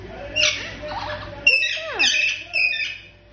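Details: Indian green ringneck parrot kept as a pet, giving harsh squawks and scratchy calls with a sharp downward-sliding note near the middle, in short bursts about every half second.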